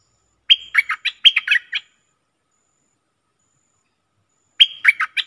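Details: Bulbul recorded 24 October 2021 giving a phrase of about eight crisp, fluty chirps that dip and rise, then after a pause starting another with four similar notes.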